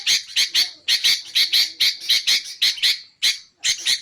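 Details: Sooty-headed bulbul used as a luring and training recording: harsh, raspy chattering notes repeated about twice per second in quick clusters, with brief pauses between runs.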